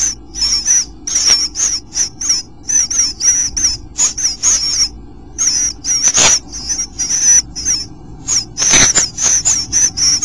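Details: Bluebirds at a nest on day 8: steady series of high, thin, wavering hissy notes in short bursts roughly every half second, interrupted by a couple of loud scraping thumps.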